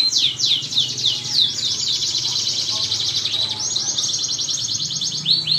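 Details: Canary song used as a lure to make other canaries sing actively: fast continuous high trilling with rapid repeated notes and descending slurs, rolling on without pause; a low steady hum underneath.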